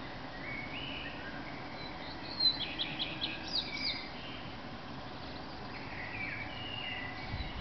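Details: Singing male common redstart before sunrise in Berlin, May 2010, with another male answering and blackbirds around: one high, quick, jingling phrase of stacked notes, surrounded by lower warbled blackbird fragments and faint hum.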